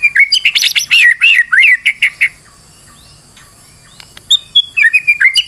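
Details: Stressed white-rumped shama, played as a lure to make another bird sing, delivering a rapid run of buzzy, warbling notes for two seconds, silence, then a renewed short burst of high whistles.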